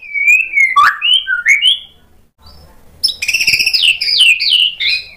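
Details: Vigorous white-rumped shama singing sharp imitated phrases, a lure meant to provoke replies from other birds: smooth whistled slurs, a brief lull, then a burst of high rapid, twittering, jumbled notes.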